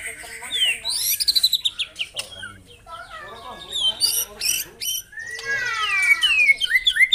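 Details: Morning song of a white-rumped shama, used to stir up rival birds: scattered high sweeps, a burst of quick repeated notes, then rich descending whistled slurs and dense warbling near the end.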